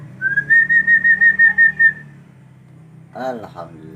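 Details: Common hill myna, a talking bird, giving a steady whistled series of about nine pulsed notes near one pitch, slightly rising at the start, followed by a short harsh burst and laughter nearby.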